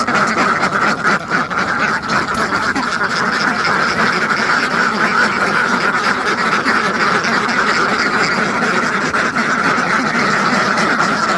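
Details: A big farmed flock of hundreds of ducks, quacking nonstop in a crowded, overlapping chorus, harsh and nasal, with steady volume and no clear breaks.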